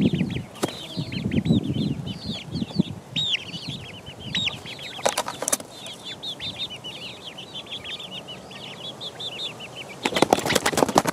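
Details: Four-week-old chicken chicks pecking around: rapid high chirping peeps run almost continuously, broken by loud wing flaps and clattering bursts near the middle and end.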